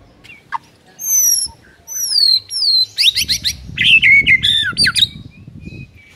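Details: Master song of a white-rumped shama for coaxing mute birds to sing: long descending whistles, then bursts of sharp high notes and warbled loops, with low rumbling background noise.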